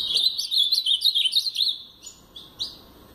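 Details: Blue-black grosbeak in brown plumage delivering a rapid two-second warble of tumbling, twisting whistled notes in the Paraná style, trailing off into a few soft, separate upswept chips.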